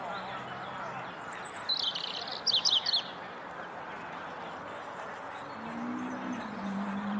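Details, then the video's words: European robin in full song on a corkscrew hazel bush in the Flower Walk: one short burst of thin, high, tumbling notes in the middle, the rest quiet with a steady low hum beneath. "Robin singing on corkscrew hazel bush"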